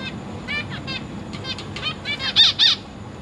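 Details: Caged zebra finch fledglings with feeding parents, 22 August 2023; a handful of separate nasal, stacked calls, ending in two louder, harsher calls close together.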